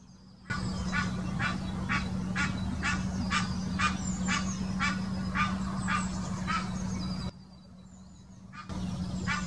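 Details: Egyptian goose mating call, Wittlich Depression, Germany, 2018: a long series of around fourteen coarse honks, about two each second, pausing briefly before resuming, over a constant low hum and faint high chirping of other birds.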